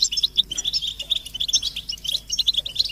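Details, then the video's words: European goldfinches uttering stimulating mating and readiness calls for captive males: lively tinkling twitter of sharp, bouncing chirps and short whistled notes, delivered in rapid uneven runs. "بتبتة الحسون تحفيز الحسون على التغريد والهيجان علاج صمت الحسون goldfinch stimulation"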